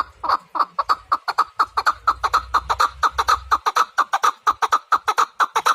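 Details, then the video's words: Chukar partridge calling in an even, driving rhythm of repeated chuk notes, about two a second, loud and sustained throughout, with faint low rumble early on. "Кабки сурак кариб маст шавад Keklik الحجل Куропатка Partridge"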